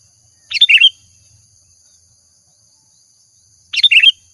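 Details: Sooty-headed bulbul, kutilang, singing actively as a lure recording: two short bubbly phrases of quick chirpy notes, about three seconds apart, with a steady thin high tone in the background.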